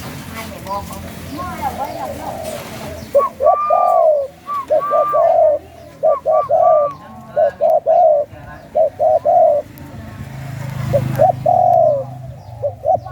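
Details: Spotted dove cooing in the khu ang song style, the father bird of chicks offered for sale. After a quiet stretch with faint talk, a low hollow coo repeats in quick rhythmic phrases, with a brief murmur near the end.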